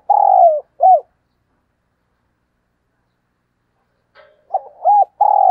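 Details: Spotted dove decoy bird calling in the morning with a long hooting coo and a short follow-up note, then silence before another phrase of looping coos ending in a long note.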